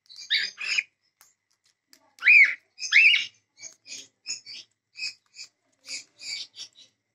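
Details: Cockatiel giving rasping chirps, then two loud upslurred whistled calls, followed by a run of short soft twittering notes.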